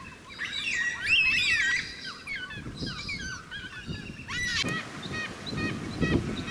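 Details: Carnaby's Black Cockatoo in Western Australia: harsh, wavering calls rich in overtones, several overlapping in a busy cluster, then a sharp burst and shorter repeated notes, over steady background rumble.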